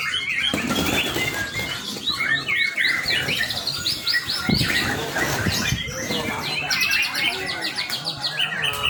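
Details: Young white-rumped shama used as a lure for training, pouring out dense, scratchy chattering with sharp chirps and fast repeated high notes, with broad noisy bursts mixed in.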